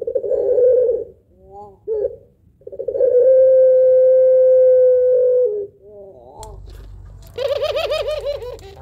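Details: Spotted dove of the pelung type singing a long, rhythmic two-note kuwok song used as a lure bird: low coos, then a drawn-out steady note held over two seconds, trailing wavering notes and a harsher, wavy higher sound with background rumble.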